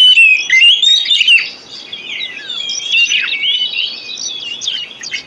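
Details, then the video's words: Oriental magpie-robin song, played as therapy for birds that will not sing. Opens with a loud, clear whistled phrase, then continues with softer mixed chirps and warbles. "Pancingan Kacer Full 1 Jam Untuk Terapi Kacer Macet Bunyi,Kacer Lemot,Kacer Bahan"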